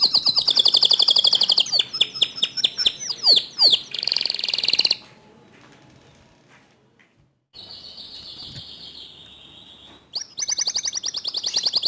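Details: Canary song meant to draw other canaries into singing: fast buzzy rolls and sweeping notes for about five seconds, a quiet pause with a faint steady tone, then the rapid trilling resumes.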